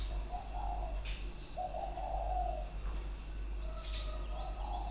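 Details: Sharp-voiced captive spotted dove singing its three- and four-beat coo, 23 February 2020. Two drawn-out soft coo phrases sit under faint rustles and brief high chirps from other birds, with a steady low hum.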